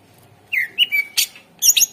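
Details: Greater green leafbird singing to coax other birds into song: a long slurred whistle stepping down and levelling, followed by a sharp burst and high, rapid twittering notes.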